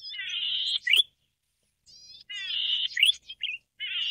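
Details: Golden-headed cisticola (Cisticola exilis volitans) song: a drawn-out rasping buzz ending in a sharp upslurred note, a pause of about a second, then the buzz-and-note phrase again.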